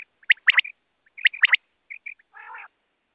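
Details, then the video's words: Quail calling, offered for night: two bursts of sharp, bright triple notes about a second apart, then two soft piping notes and a grating buzzy phrase. Quiet background. "batair ki awaz rat ky ly|batair awaz|quail sound|original quail sound worldwide|اوریجنل آواز"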